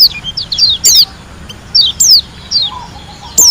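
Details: Lombok white-eye giving spaced high downslurred whistles and short twitters in brief bursts, with a soft low whistle near the end.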